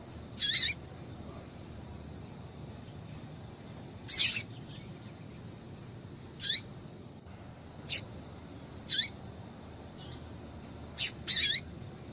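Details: A female Double-collared seedeater gives short, sharp high chips, single or paired, spaced a second or more apart over a faint steady hiss; the call is used to stir males into singing.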